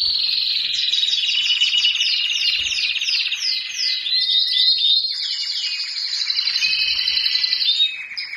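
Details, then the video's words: Courtship song of a caged white Syrian canary, sung to get a female to take the mating posture: fast rattling trills at about four notes a second, then long, sustained rolling tours that change in pitch. "تغريد الكناري السوري الأبيض في السلاكة جاهز يجبر الأنثى على اتخاذ وضعية التلقيح"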